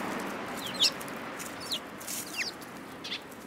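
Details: Sparrows in a group, March 2018: scattered brief high chirps, each a quick falling stroke, heard about once a second against soft broadband noise.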